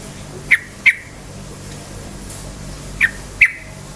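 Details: Yellow-vented bulbul singing actively, a lure for other bulbuls: two quick pairs of bright, clipped chips about two and a half seconds apart against faint steady hum.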